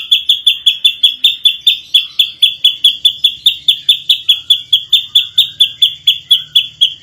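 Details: Rapid-fire masteran song of an ashy drongo, prized by champion birds for training. Sharp, high, clipped notes repeat in an even, machine-gun rhythm, about three or four each second, for the whole seven seconds.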